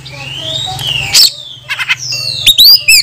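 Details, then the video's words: Oriental magpie-robin (kacer) lure song, meant to provoke rivals into tail-spreading and full singing by calling an opponent to fight: a long clear rising then level whistle, sharp harsh bursts, and sweeping high notes over a low steady hum. "PANCINGAN KACER BUKA EKOR || Gak Sampai 5 Menit KACER LANGSUNG ON Bongkar isian"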